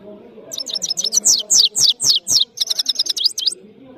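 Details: European goldfinch from Parachinar delivering a lively song of rapid high twittering: evenly spaced, sharp downward-slurred notes that speed into a quicker chattering run near the end.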